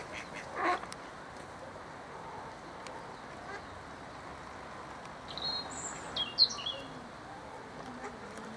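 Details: Mallards in a fight over a mate, two drakes defending a female duck from an intruding drake, give one short rasping quack, then after a pause a brief cluster of thin, high squeaky notes over a steady background hiss.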